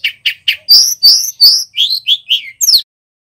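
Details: Male bar-winged prinia singing loudly and clearly in a training recording for cage birds: three quick falling chirps, then bright whistled slurred notes and descending sweeps, about ten notes in under three seconds, no background noise.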